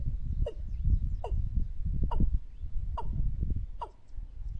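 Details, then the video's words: Watercock calls played as a trapping lure: five hollow, downward-sliding notes repeated roughly every 0.85 seconds over steady low rumbling background noise. "ต่อนกอีลุ้มหมานๆ ชุดต่อเสียงหมานขึ้นเร็ว"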